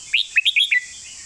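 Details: A short master song phrase from a red-whiskered bulbul in the golden-phrasing style: five crisp, bouncy whistled notes in under a second, the first rising and the last falling away.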